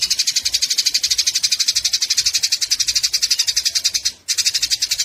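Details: Eurasian tree sparrows in a fight, giving an unbroken, rapid, grating chatter for four seconds, then a brief gap and a fresh burst of the same harsh notes; used to train cage songbirds.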